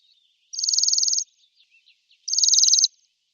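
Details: Bohemian waxwing calling: two high, ringing, finely pulsed trills, each lasting well under a second and separated by a short pause, with faint softer chips between them in an otherwise quiet background.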